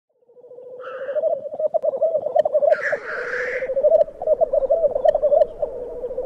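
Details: Black grouse at a lek at Glen Tanar, recorded from a photography hide: a steady, low, dove-like bubbling rookoo runs throughout, broken by a harsh hissing sneeze and a few higher notes.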